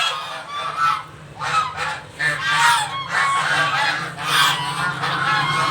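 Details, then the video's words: Several geese at a home honk noisily for breakfast, loud nasal calls overlapping in a continuous clamour over a steady low hum. "all goose makes noise for breakfast"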